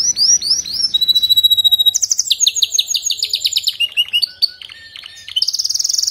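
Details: Canary song meant to be played to canaries that sing weakly: loud, varied high phrases with fast rolling trills of repeated notes, a long steady whistle, then pulsed chattering series and a final rapid high trill.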